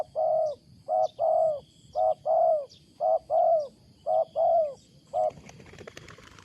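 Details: Loud, unusual cooing from a wild spotted dove: strong low coos in pairs of a short then longer note, repeated roughly each second, then a rustling noise at the end.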